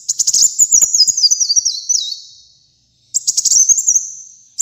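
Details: Energetic kolibri muncang sunbird song: a long, very high run of rapid chattering notes dropping in zigzag steps, then a pause and a shorter trill ending in a thin drawn-out note, nothing else audible.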